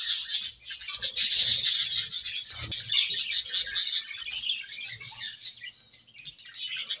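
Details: Playtime chatter from budgies: a loud, continuous stream of high, scratchy twitters and rapid clicking notes with low tapping and knocking sounds mixed in. The chatter thins toward the end.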